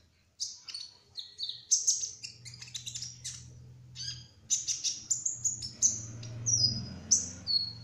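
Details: Sunbird of the kolibri ninja trotol type in rapid, continuous song of high, piercing chirps and thin whistles, over a steady low mechanical hum that grows louder toward the end.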